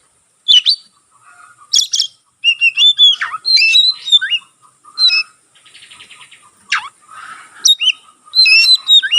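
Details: Oriental magpie-robin singing actively with its tail spread, a song said to stir other magpie-robins into singing; sharp whistled notes and quick slurred phrases, some sweeping down steeply, broken by short pauses and a soft buzzy rattle.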